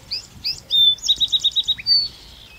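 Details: A Song Sparrow in Vancouver, BC, in spring gives its song: two sharp opening notes, a clear sustained whistle, then a quick trill of about seven notes ending in a buzzy tone. Nothing else is heard.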